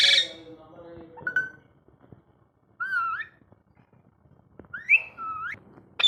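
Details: Ringneck parrot at home whistling: a bright rising note, a wavering upward-sliding whistle, then two more slurred whistles, after a harsh opening squawk and quiet gaps.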